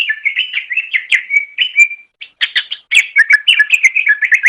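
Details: Cucak ijo (green leafbird) masteran song: loud, continuous chattering and slurred whistles with a clear steady whistle in the middle, then a rapid varied run of notes.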